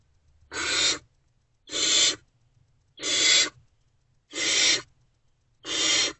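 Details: Unfed Great Horned Owl owlets in nest box C react to an adult's return, 3 March 2024 around 5:31 am: five harsh, hissing rasps, each about half a second, spaced roughly one per second.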